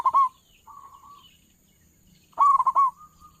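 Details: Big-voiced local zebra dove, a trapper's lure recording: loud ringing coos open the clip. A quiet, steady coo follows, then another run of four or five loud hooked notes fading into a soft tail.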